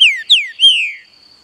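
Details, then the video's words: Green-winged saltator kept in captivity, giving three loud clear whistles in quick succession, each falling in pitch, the last one longer and drawn out, against a thin constant high-pitched background tone. "TRINCA FERRO CANTANDO"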